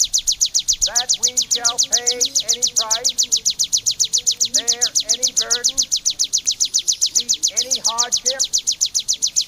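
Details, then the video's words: Bar-winged prinia song used to train songbirds. High, piercing notes repeat steadily, nearly four per second. Clusters of lower, wavering, harmonic notes sound now and then beneath the stream. "CIBLEK KRISTAL TEMBAKAN SADIS!!! MASTERAN & TERAPI BURUNG JUARA"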